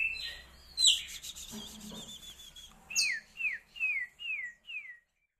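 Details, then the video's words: Asian glossy starling song: a scratchy, buzzy opening and a wavering trill, then five clear whistled notes, each sliding downward, repeated about every half second before stopping. "BURUNG RAJA PERLING ISIAN MEWAH UNIK"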